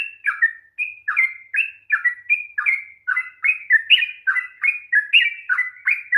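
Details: Sooty-headed bulbul giving a lengthy 'ropel panjang' rolling song, played to stimulate a quiet bird: quick succession of slurred, warbling whistles with an even, chattering rhythm.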